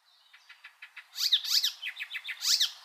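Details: Icterine warbler song used as a tutor recording for cage birds: a run of short, evenly spaced high ticks building into loud, dense bursts of sharp chattering notes and rapid downward-sweeping slurs.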